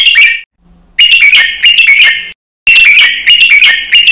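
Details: Caged red-whiskered bulbul singing a counted-phrase training song, doubled and fast-clipped: short bright whistled phrases with sharp high clicks, delivered in bursts separated by abrupt silent gaps.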